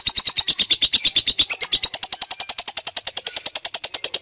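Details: Lovebird giving a long ngekek trill: fast, even high pulses repeated about eight times a second for over four seconds, holding steady in pitch with a slight rise midway.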